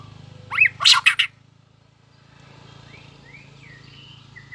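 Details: White-rumped shama in early breeding form, tail-flicking, with competitive song: a short loud burst of rich notes, then soft rising and falling whistles over a low background hum.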